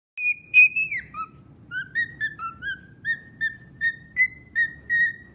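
A cockatiel whistles a string of clear, slightly wavering notes, about three a second, some gliding up or down, over a low background hum.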